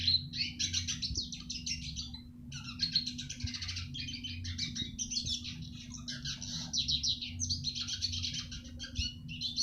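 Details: Eurasian siskin singing, a recording meant for teaching other birds. Dense, nearly continuous high twittering broken by brief gaps, with mixed chirps and trills and a constant electrical hum beneath.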